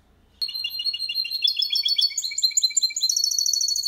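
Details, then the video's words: Goldfinch × canary hybrid singing a clean Malaga-style copy, used to train other goldfinches, hybrids and chicks to sing: rapid high twittering trills of short metallic notes, rising into brighter, faster phrases near the end, with no other sounds. "Mixto jilguero cantando copia malaga _ Hybrid of goldfinch singing for training songs"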